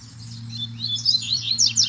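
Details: Double-collared seedeater in woodland gives a quick, high twittering phrase of sharp chirps and slurred notes in a territorial song; another bird sings farther back, as the recordist thinks he stands between two territories, with a cicada nearby.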